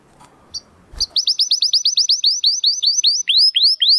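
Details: Domestic canary singing non-stop in crystal-voice style for training contest birds: after a faint click, a fast series of high sweeping notes repeats steadily, slowing slightly toward the end.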